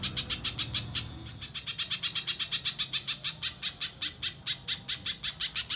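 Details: Little spiderhunter calling for a lure track: a dense, unbroken string of about thirty-three sharp, high chip notes, roughly six a second, clear and even.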